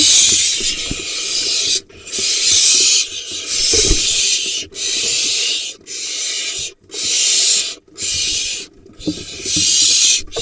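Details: Barn owls at a nest box in the Hula Valley, Israel, on 18 July 2021, as the male delivers a vole to a late-nesting pair with four remaining nestlings; long, harsh, breathy hisses repeat roughly every second with brief gaps.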